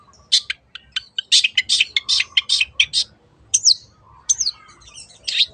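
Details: Long-tailed shrike, cendet, in 'teot teot' lure song for other birds: a quick series of harsh, grating notes, a pause, then two down-slurred whistles and a final rasp over a faint low hum.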